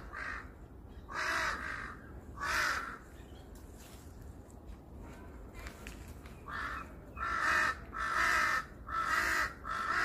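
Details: A crow on a hill in Seongbuk-dong gives harsh, hoarse caws in short bursts, three early on and then a quicker run of five, with faint calls of smaller birds in between.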